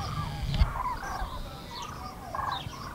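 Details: Common cranes in flight above the Eifel, Germany, recorded 6 March 2018: a few trumpeting, rolling calls from several birds, with a short knock and low rumble early in the recording.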